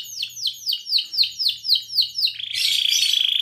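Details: Canary song meant to stimulate males to sing and mate and to teach young: a series of about ten repeated downward-sweeping whistled notes, roughly four per second, then a fast buzzy trill.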